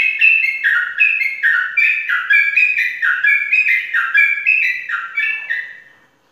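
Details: Prize-winning caged Sooty-headed bulbul from Indonesia pours out a steady stream of rollicking, liquid notes, each swooping down then up, about two per second, before fading out.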